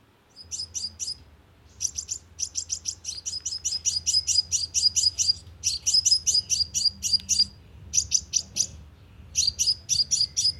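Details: Sunbird lure call, played through a loudspeaker to attract birds to a trap: bursts of very high, sharp chips in quick runs of five to ten, broken by short pauses, over a faint low hum.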